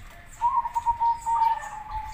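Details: Local or crossbred zebra dove singing a master song meant to draw an immediate reply from other doves: a loud, steady, rippling run of soft coos held at one pitch for well over a second, with brief pulsing swells.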